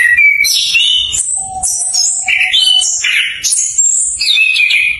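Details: Prompting song of the orange-headed thrush for stalled birds learning ngeplong: a nonstop medley of sweet whistles, sharp high slurs and warbled runs, with a long, even low note held beneath the middle section.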